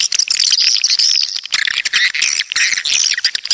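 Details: Walet pantai, coastal swiftlets from the south, in a loud chorus of shrill, squeaky twitters with a few longer, thin whistled notes and scattered clicks.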